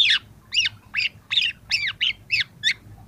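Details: Young long-tailed shrike singing as a training and prompting recording for other young birds: about eight loud, arched, slurred notes that rise then fall, given roughly every third of a second over faint low background hum.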